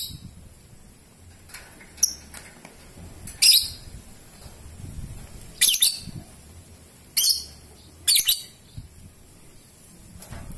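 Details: Lovebird in ngetik and ngekek style giving scattered shrill, high-pitched chirps, some doubled, at irregular intervals, with quieter rustling and a low hum beneath.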